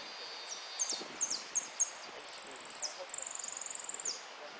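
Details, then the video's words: Repique-style song of a competing saffron finch: several bursts of steeply falling high whistles, then two long, very high, rapid trills, each held about a second, with a faint voice and soft noise below. "Amarillo de Repique Concurso"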